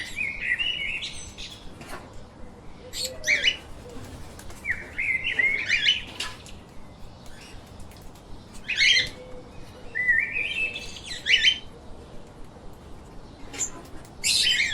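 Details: Lovebirds, little parrots, chirping in bouts: shrill buzzy chatters and squeaky chirps every couple of seconds across the recording, interspersed with sharp clicks and faint low notes, over a constant background hum.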